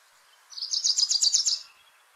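Wilson's Warbler song: a quick, bright series of about ten sharp chattering notes, high-pitched and slightly rising toward the end, lasting just over a second.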